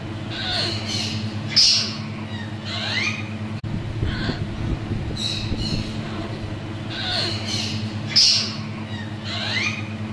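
An African grey parrot chick gives harsh, raspy squawks in short bursts, several every second or two, over a steady low indoor hum.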